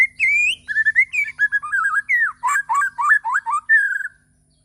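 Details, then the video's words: White-rumped shama, Borneo, in morning song: rich, fluty whistled phrases that swoop up and down in quick succession, with several sharp downslurred notes mid-phrase and a long level whistle at the close. "Kicauwan murai batu di pagi hari"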